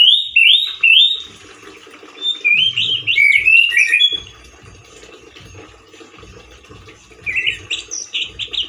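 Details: Orange-headed thrush, a male with a loud, harsh, wild-like voice: a burst of rapid looping whistles at the start, a steady low hum through the middle, then scratchy rising notes returning near the end.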